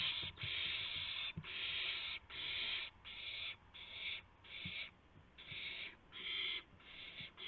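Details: Owl recorded at 2:51 AM, 2 April 2016, during a gopher prey delivery: loud, rasping hiss-screeches in quick succession, about ten bursts in seven seconds, separated by short gaps, with occasional low knocks.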